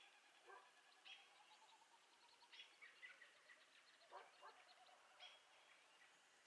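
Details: A Virginia rail (Rallus limicola), a secretive marsh bird, gives harsh, rasping, almost barking notes at irregular intervals of about one to one and a half seconds, over a soft background of faint ticking calls.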